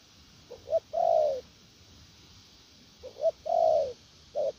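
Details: Spotted dove cooing in the "gù lèo nước" style, two quick soft notes leading into a long mellow falling coo, the phrase given twice with a pause between, plus a final short note.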